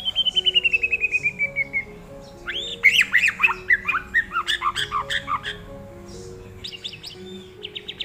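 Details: Tame white-rumped shama opens with a rapid descending trill of repeated notes, then breaks into a loud, varied burst of sweeping whistles and chattering phrases, ending with sharp high notes.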